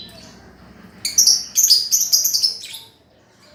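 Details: Lovebird heard on a master track used to train a lovebird that has stopped singing, giving a quick burst of high, squeaky chattering notes for about two seconds, then falling silent.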